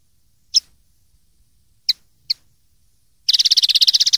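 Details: Common linnet song from a 2013 tutor recording used to teach young linnets to sing: three short sharp chirps spaced apart, then a rapid buzzy trill of evenly repeated notes lasting about a second, in a quiet background.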